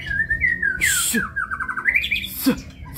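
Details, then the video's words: White-rumped shama singing in kebyok style: clear whistled notes that slide down and then climb in a rising series, broken by a sharp, harsh burst near the one-second mark and another near the end. "Murai batu (Kebyok)"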